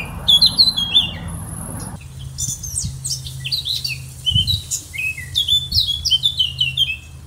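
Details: Brief rushing noise and high warbled notes open, then Eurasian blackcap song continues as rapid, twittering, fluty phrases repeated in bursts, over a soft low hum.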